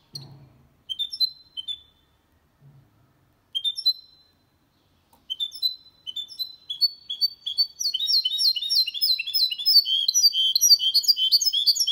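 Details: Mule of goldfinch crossed with canary, clean 2022 song for stimulating males and teaching chicks. Scattered sharp chirps and short whistled notes build into sustained fast twittering and trilled phrases.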